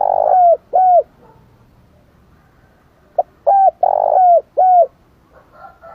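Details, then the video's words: Spotted dove giving strong cooing meant to lure and provoke other doves: a series of loud, low, hollow coos, each falling slightly at its end, delivered in two bursts separated by a quiet pause. "Tiếng Chim Cu Gáy Gù Kích Bổi Cực Mạnh"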